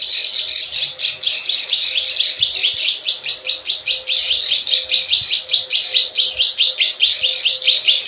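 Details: Plain prinia (prenjak sawah) lure: energetic, scratchy chattering of short buzzy notes repeated in quick succession over eight seconds, loud and continuous with slight variation in pitch.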